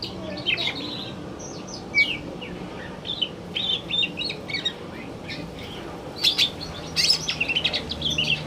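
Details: Male greater green leafbird singing during the afternoon, a lively jumble of high chirps, sharp clicks and short whistles delivered in irregular bursts with faint background noise.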